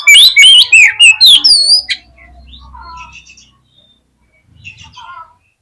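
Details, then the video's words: Oriental magpie-robin song, played as a lure to trigger fighting behaviour: two seconds of loud, rapid whistled slurs and chips, then softer scattered notes and a faint low hum before near silence. "COCOK UNTUK PANCINGAN KACER YANG MALAS BUKA EKOR SEKALI DENGAR AUTO FIGHTER"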